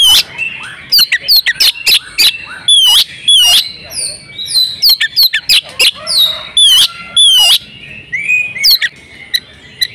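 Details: Female oriental magpie-robin in breeding condition, calling to stir males into song; bright whistled slurs and harsh chips come in rapid clusters, some notes swooping downward, with short gaps between bursts.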